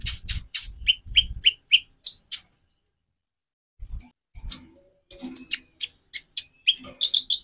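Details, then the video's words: Sunbird known locally as konin, song varieties for tutoring other birds: high, sharp chirps in quick bursts, a run of short whistled notes, a pause, then more rapid high twitters, with low thumps underneath. "Variasi kicau burung Konin bikin burung lain gacor"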